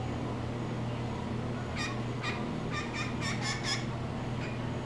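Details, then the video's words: Blue jay, a male, that seems to talk to the camera, gives a quick run of about seven short, harsh, ringing notes, then one more after a pause, over a steady low hum. "beautiful blue jay giving a bird-interview"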